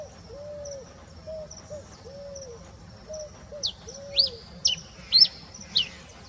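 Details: Rufous-collared sparrow singing before dawn: thin, high whistled notes, faint at first, then several loud, sharply down-slurred whistles near the end, over a repeated low, soft hooting call.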